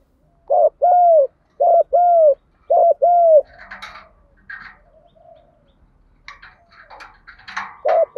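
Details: Spotted dove, used as a lure to stimulate other doves: three loud paired coos, each a short note then a longer level hoot, about one pair a second, followed by faint softer coos and scattered chirps.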